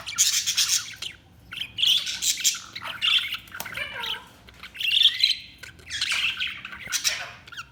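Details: Steady budgerigar chatter: loud bursts of grating chirps and squeaky warbles, each lasting about a second, with short quieter breaks and a few low sliding notes.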